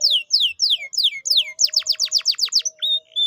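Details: Canary song used to prompt a silent canary to sing: a series of high descending whistled slurs, then a fast run of steep sharp notes, ending in short rising whistles over a faint low tone.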